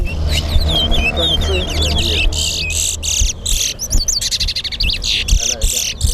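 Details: Chestnut-bellied seed finch (towa towa) in a Guyana National Stadium singing competition: warbled whistles at first, then a string of rasping buzzy bursts, with people talking throughout.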